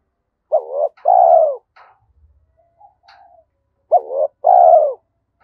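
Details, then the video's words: Spotted dove with the 'giọng thổ' voice, described as fitting the forest when setting traps; two phrases, each a short wavering note then a smooth descending coo, with faint clicks between. "cu gáy giọng thổ Thúc Đấu giọng hợp rừng khi đi gài"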